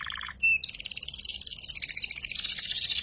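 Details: A juvenile canary practising ngeriwik, as a master song for murai and kacer fighters, gives a low buzzy note, one pure whistle, then a sustained high chattering trill that grows louder.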